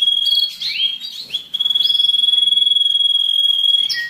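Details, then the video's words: Canary song played to stimulate breeding and to train young birds in the molt and rest period: a few quick sweeping notes, then a fast even roll held on one pitch for over two seconds. "تغريد الكناري للتسميع في مرحلة القلش و الراحة"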